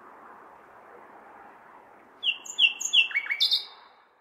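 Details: Common nightingale singing on a May night in a large city. After two seconds of low urban hum, one phrase of repeated high whistled notes, then a quick rising flourish.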